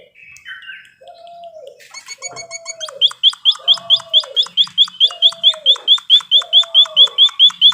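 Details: Training recording of a caged white-headed munia: slow low mewing notes at first, then a fast, very regular run of high downslurred chips, about two per second, growing louder.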